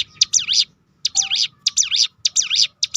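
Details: Hill prinia, locally ciblek gunung, in 'roll tembakan' song meant to stir other birds to sing: short clusters of two or three shrill, bouncing high notes separated by brief silences.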